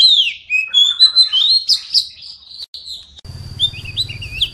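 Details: Oriental magpie-robin song intended for silent birds: clear, drawn-out whistles and slurred phrases for about three seconds, then a low hum and a steady high tone take over beneath faint warbling.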